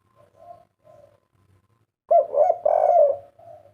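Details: Spotted dove kept as a pet: faint, gentle coos, then a loud burst of throaty stuttering notes swelling into a long, rich coo that trails off softly.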